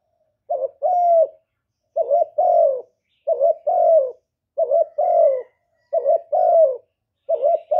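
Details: Spotted dove, kept bird, giving calling, cooing and urging coos meant to stimulate newly kept males; clean recording. Six paired phrases, a short hooked note then a longer falling coo, repeated about every 1.3 seconds.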